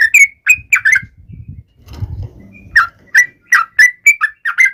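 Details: Yellow-vented bulbul song for taunting rivals, bright whistled notes opening and closing the passage, interrupted by about two seconds of low rumbling noise before the rapid whistles return.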